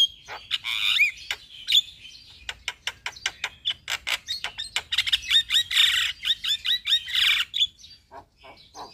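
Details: Javan myna in full song, played to stimulate a stressed, silent captive myna. Dense rattling series of sharp clicks and chatter mixed with short whistled slurs, growing louder and buzzier midway before trailing into scattered notes.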